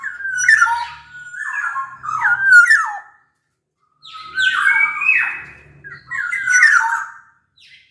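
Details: Large-bodied Sumbawa black-naped oriole in vigorous song, used to draw song from lazy orioles: a run of rolling fluty whistles, a pause, then harsher nasal whistled phrases over a faint low hum.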